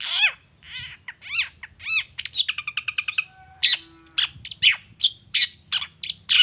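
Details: Long-tailed shrike singing "gacor toet toet" to lure other shrikes into answering: arched harsh squawks, then a fast rattling train of short notes, followed by varied rasping phrases in quick succession.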